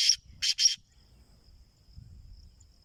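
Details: Caged black francolin (kala teetar) producing three harsh, rasping notes: one short note, then a quick close pair, with quiet low rumbling afterward and a thin high hiss.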